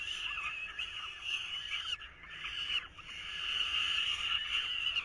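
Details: Falcon nestlings in 2023, while the male tries to feed them at the nest, give a continuous, harsh, buzzy screaming that pauses twice in the middle.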